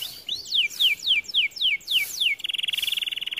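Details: Song of a white canary: a series of sweeping downward slurred whistles repeated about three times per second, followed by a fast high rattling trill.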